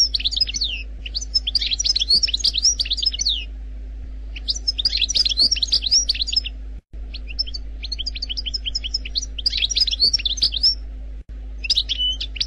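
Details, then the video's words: Algerian European goldfinch's 'khaloui' wild-style song, without errors: long, rich sequences of fast high twitters and downslurred notes in several phrases with short pauses, a faint steady hum underneath. "لغة الحسون الجزائري الخلوي بدون اخطاء Chant Chardonneret Algerie"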